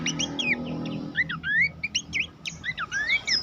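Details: Short burst of Horsfield's babbler song for training songbirds, with quick whistled upward sweeps and scratchy notes following one another rapidly.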